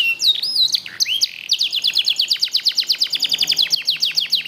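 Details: Black-red mosaic canary singing: looping whistled slurs, then a fast run of sharp, evenly spaced high trill notes with no other sounds.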